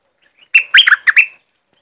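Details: Streak-eared bulbul from southern Thailand singing: a brief burst of four or five bubbly, slurred whistled notes packed into under a second, followed by silence.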